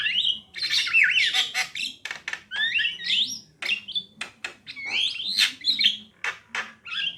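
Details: Javan myna pair, female and male, in continuous varied song: curling whistled slurs alternating with sharp clicks and harsh buzzy notes, dense and unbroken throughout.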